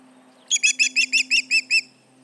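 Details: Alarm from an osprey at the Charlo nest, July 29, 2019, late morning MDT, with intruders nearby: eight piercing whistled cheeps given quickly in just over a second, bright and evenly spaced, over a low constant hum.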